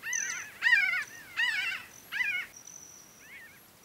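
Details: Several pinyon jays of a foraging, flying flock at Great Sand Dunes in southern Colorado's San Luis Valley give nasal, wavering mew calls in four quick bursts, then one faint call, over a high thin steady tone.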